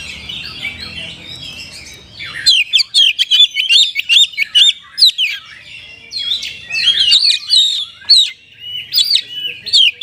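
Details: Oriental magpie-robin in full, lively song rich with borrowed phrases, meant to goad sluggish birds into singing: a short burbling run, then after two seconds loud sharp whistled notes and buzzy chirps rapidly alternating in bursts, high-pitched throughout.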